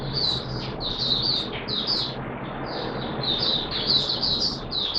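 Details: Oriental white-eye kept in the bird hobby, singing during wet weather on 6 September 2022: an unbroken high, jumbled twittering warble of quick slurred notes over a noticeable background hiss and hum.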